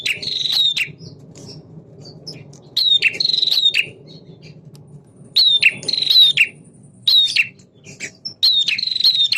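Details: [1, 'likely', 'song', 'Male prinia singing energetically in a style between the semi and klawu types, used to provoke caged birds into responding: bursts of buzzy, rattling notes near a steady high whistle, grouped in clusters with pauses between, faint low hum beneath.']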